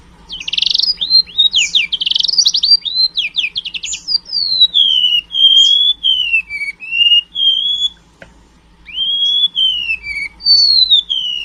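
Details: Golden-bellied gerygone song with canary phrases mixed in: dense high chattering trills and sweeps open the phrase, then sweet drawn-out whistles, mostly falling, repeated after a brief pause.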